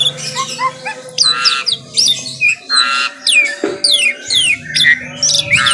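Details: Morning song of an Asian pied starling: loud harsh chattering phrases alternate with short whistled notes, each burst under a second with short gaps, over a faint steady low hum in a small room.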